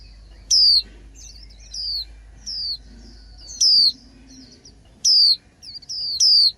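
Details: Spring song of a female white-eye. Bright, high whistles drop steeply in pitch, mixed with quick softer twittering slurs, repeating irregularly across several seconds. Faint low background noise.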